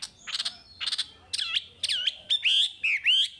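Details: Chinese hwamei in active song, used to teach caged hwamei: starts with raspy buzzy bursts, then shifts to rich looping whistles that swoop down and up, with increasingly long clear notes near the end.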